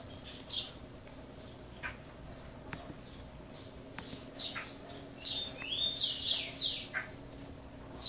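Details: Brazilian chopi blackbird in a cage: sparse soft chirps for five seconds, then a sudden cluster of loud whistled notes, a level tone sliding up into three sharp falling notes, fading to quieter calls.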